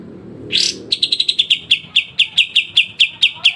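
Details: Kapas tembak, the pied triller, in a sharp besetan song for training songbirds: one rasping burst, then a quick string of about fourteen bright repeated notes that start fast and settle into a steadier beat.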